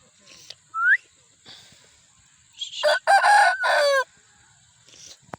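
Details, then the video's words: Aseel rooster from Pakistan crowing: a brief rising squeak, then a harsh, loud crow lasting about a second with broken, rasping segments ending in a drawn-out note. "Aseel murga ki awaaz || aseel rooster crowing || aseel murga azan"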